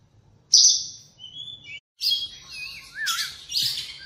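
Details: Singing at dawn, an Oriental magpie-robin gives a loud high whistle and a thin steady note, then a series of clear whistles with dipping and looping slurred phrases.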